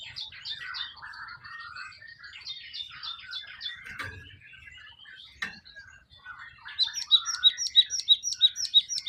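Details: Java sparrow in the wild, singing: soft, dense chattering and clicking notes for several seconds, then a loud series of sharp, bell-like notes repeated about three times a second, with faint low rumbles.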